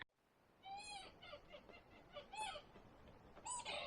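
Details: Probable Magellanic woodpecker, identified only tentatively by the observer, in forest at Huerquehue National Park, Chile, heard pecking on a tree and giving loud, nasal, goat-like bleating squawks, about three within four seconds, each slightly rising then falling.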